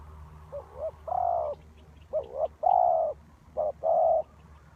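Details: Spotted dove used as a trapping lure, three cooing phrases in quick succession, each a short two-part warble leading into a long, level, mellow note, with faint high twitters behind.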